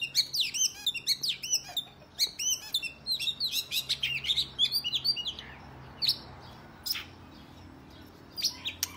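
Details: Oriental magpie-robin fighting song used to provoke rival males: quick rising and falling whistles and clipped chirps in fast bursts for about five seconds, then sparse single notes and quiet.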